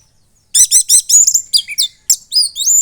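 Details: Caged young red-headed thrush (orange-headed thrush) from Klaten, Central Java, moulted twice, singing loud and continuously; rapid high chattering notes in quick bursts, then sharp whistled slurs after a short pause.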